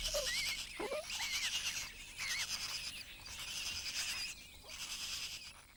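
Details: Male Blue-winged Kookaburra at a nest in an old gum tree in Kakadu, far north Australia, calls to guide a blind hatchling to a meal. The calls are harsh, braying squawks that rise and fall, about one per second, over a steady hiss.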